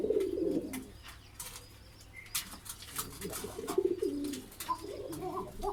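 Pigeons give low, throaty rolling coos in short bursts, with brief higher chirps and some faint clattering in the background.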